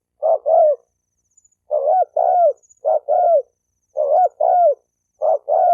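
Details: Spotted dove cooing for stirring males and females to fight: quick paired mellow hoots, the second of each pair longer and falling, repeated about every second with short gaps.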